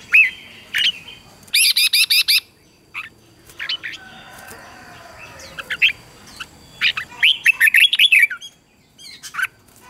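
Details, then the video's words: Red-whiskered bulbul morning training song for wild-caught birds: a rapid series of sharp repeated high notes, a quiet stretch with soft background noise, then a burst of slurred warbling whistles. "luyện cho chào mào bổi hót | luyện giọng chào mào hót sáng kích bổi hót đấu căng lửa. chào mào hót"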